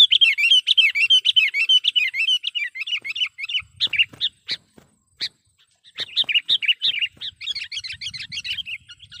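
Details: Sooty-headed bulbul call used as a lure: lively, bubbly chattering notes in fast runs, breaking off briefly with a few sharp clicks before resuming.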